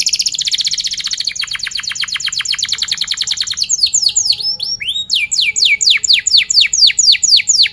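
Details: Canary rolling song used to prompt a young or mute canary: a long, rapid, even trill that slows into a chain of loud swooping chirps repeated roughly twice a second.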